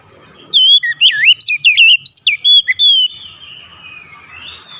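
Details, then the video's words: Oriental magpie-robin gives a bright, rapid sequence of whistled, curling notes for about two and a half seconds, followed by faint softer sounds. "KICAUAN KACER YANG INDAH DAN ENAK DI DENGAR"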